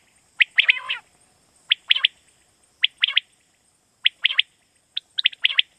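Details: Quail call used in Pakistan to draw quail in at night for hunting: a short raspy trill, then bright, clipped notes in close groups of two to three, spaced about a second apart, with a constant faint electronic whine.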